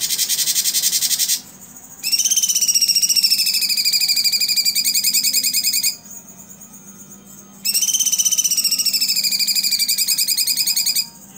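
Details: Blue-winged leafbird (cucak cungkok) singing its prized 'tembakan' (shooting) song, a recording used to tutor other cagebirds: rapid, ringing chattered notes in fast bursts, preceded by a harsh buzzing burst, with short pauses between phrases.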